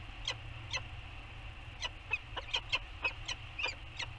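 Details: Peregrine falcon pair at their nest on Anacapa Island, Channel Islands, California, on the morning of 15 Sep 2020, during a bonding session with beaking: harsh, scratchy chipping calls, about a dozen in quick irregular bursts, over a steady low hum.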